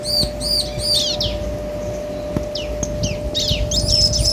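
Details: A bar-winged prinia pair, male and female, trading songs: three loud ringing arched notes, then sparser downslurred chirps and a final rising burst, over faint hum and low noise.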